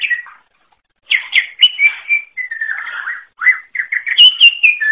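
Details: Forest-type greater green leafbird giving a short whistled phrase. After a pause comes a flowing sequence of slurred, warbling notes, some long and level, ending in high bright whistles. The background is quiet.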